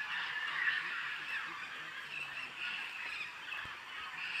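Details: Macaws gathering before descending to a clay lick on the Tambopata river, recorded on an iPhone through a scope: a dense, continuous chorus of harsh overlapping squawks from many birds, steady throughout with no pauses.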